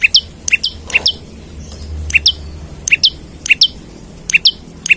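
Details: Olive-backed tailorbird singing persistently while seeking a rival, used as lure and training audio for other birds: sharp, piercing high chirps, often doubled, fired in quick bursts about twice a second, over a faint low hum.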